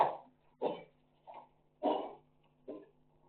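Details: African grey parrot in Sukkur, Pakistan, talking indoors: five short speech-like syllables in two-three groups over about three seconds, with a steady low mechanical hum underneath.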